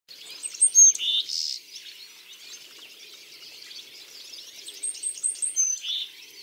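Willow tit calls with a few thin high notes and harsher nasal bursts near the start and end, over a steady twittering of other small birds.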